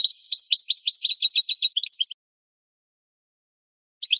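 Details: Training song of a European goldfinch for caged birds, a fast liquid twittering run of repeated high notes lasting about two seconds, then silence and a brief new burst at the end.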